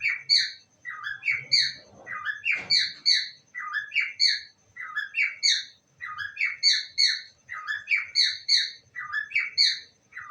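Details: Parrot kept as a pet repeating "I love you" over and over, short chirpy three-part phrases in a steady string, with a brief low bump of handling noise early on.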